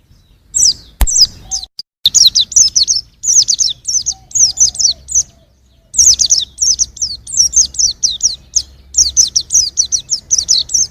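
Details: Young white-eye delivering a long run of rapid, high, descending chirps in quick clusters, briefly broken by a click and a short pause.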